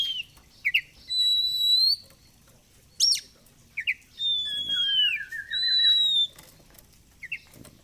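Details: Oriental magpie-robin kept as a singing fighter bird, delivering drawn-out pure whistles, a rapid low rattling trill and scattered short sharp chips between phrases.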